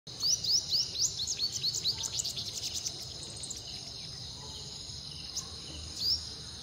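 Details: A sunbird in Uttarakhand sings a rapid run of high, thin, sharp notes for about three seconds, then one more brief note, with a faint insect hiss beneath.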